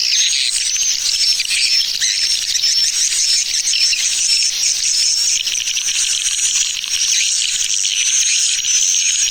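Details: Tarik Permata swiftlet lure, played to attract the birds: a constant flood of rapid, high chirps with a repeated thin, wavering whistle riding over it.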